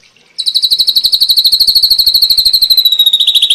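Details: Ashy drongo song in a long-duration masteran recording for training songbirds. A rapid, even trill of high pulsed notes, about ten per second, begins abruptly and slides slowly lower in pitch over three seconds.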